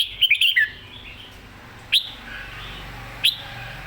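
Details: A Red-whiskered bulbul, excited and singing clearly, gives a quick warbled phrase followed by two isolated sharp notes. A steady low hum sits in the background.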